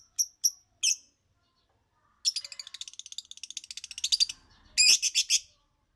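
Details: Singing lovebird: a few sharp high chirps, then a long rapid rattling chatter, ending in a loud burst of harsh clustered notes.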